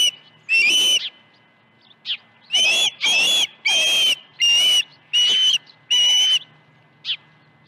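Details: Osprey calling at a nest at Dunrovin Ranch, 21 August 2019, with fish delivered at 7:05 and 7:31 AM that morning. Insistent high whistles, about seven loud notes repeated quickly, plus a couple of short faint chips before and after.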